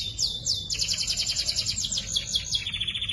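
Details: Young canaries singing in a training recording. A short swoop is followed by a fast, steady, high-pitched rattling trill that drops slightly in pitch toward the end.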